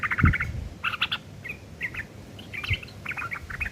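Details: Sooty-headed bulbul giving rough chattering, ngeriwik kasar, used to tutor long-tailed shrikes: clusters of buzzy, harsh chirps in short bursts, with a couple of dull low thumps nearby.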